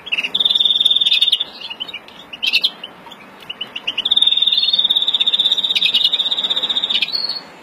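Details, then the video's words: European greenfinch of the Verdune mutation singing excitedly in breeding condition, April 2016: two long fast buzzing trills with brief twittered notes between them, ending in a high chirp. "Kızgın flurya kuşu üretim ötüşü"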